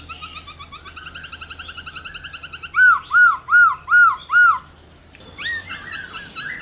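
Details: Black-throated laughingthrush singing to stimulate fellow laughingthrushes: a rapid stuttering trill, then five loud evenly spaced arching whistles about half a second apart, a brief silence, and a final burst of fast chatter.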